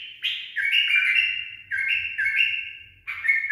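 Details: Pet bulbul, tame and trained, gives a rapid sequence of clear whistled notes dropping and rising in steps, phrases joined with hardly any gap; soft low knocking sounds underneath.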